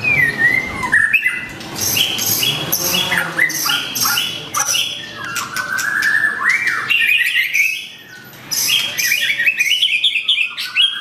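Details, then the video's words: White-rumped shama with a curved tail, pouring out its full song repertoire while calling out a rival: a dense, fast run of varied whistles, harsh buzzy bursts and sliding notes with scarcely a break. "Murai batu ekor lengkung muntah materi panggil lawan"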